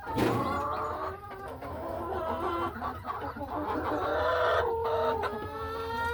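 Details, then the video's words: Several laying hens inside a hen house in the afternoon give drawn-out, tonal murmuring calls that overlap and waver, with a steady low hum beneath and a few soft knocks. "A Peaceful Afternoon in the Hen House | Real Farm Sounds"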